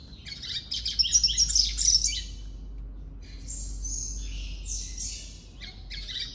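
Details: Caged male Double-collared Seedeater (papa-capim) being trained to sing in competition rounds, with its own created song: a dense burst of high, rapid twittering notes, then several shorter high buzzy, sliding phrases after a pause, over low background hum.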